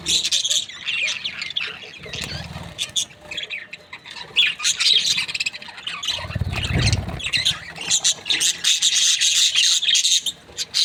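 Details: Flock of budgerigar breeding pairs chattering nonstop in dense, scratchy high warbles and chirps, with brief low thuds around two and seven seconds, possibly wingbeats or cage movement.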